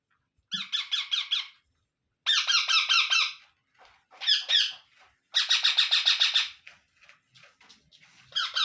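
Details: Baby Indian ringneck parrots being fed by an adult give repeated bursts of rapid, scratchy pulsed calls, some long and steady, some brief and broken.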